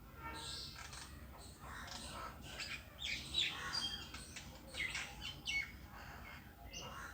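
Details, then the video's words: Lone bird on a tree chattering in quick, irregular bursts of high chirps and scratchy notes, fairly busy throughout, with low background noise underneath. "The bird sitting alone on the tree is making a sound"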